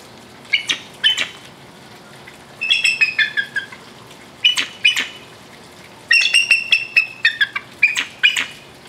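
A bald eagle gives thin, high chittering whistles in stuttering bursts of several notes, four bursts over nine seconds, against a faint low background hum.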